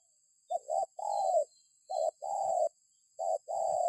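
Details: Spotted dove call played as a lure to prompt other birds. Three quick phrases in under four seconds, each a short clipped note followed by a long, even, hollow coo.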